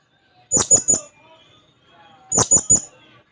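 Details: Blue-crowned hanging parrot seeking a rival gives two loud bursts of three shrill, very high notes with sharp clicks, nearly two seconds apart, silence between.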